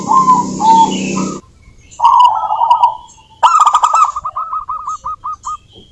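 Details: Local wild zebra dove singing as a lure to prompt other doves to sing: after a burst of rough noise, low cooing phrases give way to a string of about eight short, evenly spaced coos, with a few high chirps from other birds.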